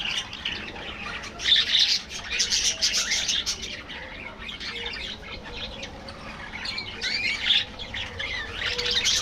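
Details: Aviary budgerigars chatter in a busy colony: bursts of rapid, scratchy warbling and chirps rising and falling in intensity, with a quieter stretch midway.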